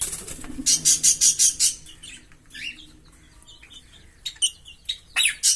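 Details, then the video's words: A green Fischer's lovebird pair sings. A rapid string of six piercing, high chirps is followed by quieter warbled notes. Sharp chirps return toward the end. "Lovebird Singing & Chirping Sounds"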